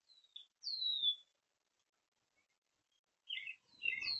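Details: Oriole, recorded 5/13/26, gives a short note, then a clear downward-sliding whistle. After a silent pause it gives rough, scratchy chattering notes near the end.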